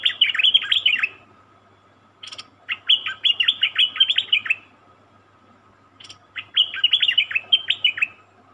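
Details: Wild-caught cream-vented bulbul sings three bubbly, chattering phrases of quick warbled notes, each about two seconds, with short pauses between. A faint steady hum and two clicks are heard.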